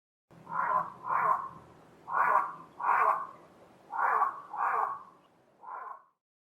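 Cape Crow giving seven harsh, hoarse caws in pairs, each about half a second long, spaced roughly every half to one second, with a faint low hum underneath.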